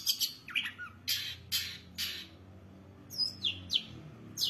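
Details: Long-tailed shrike singing harsh, rasping bursts spaced about half a second apart, followed after a pause by thin, falling whistled notes.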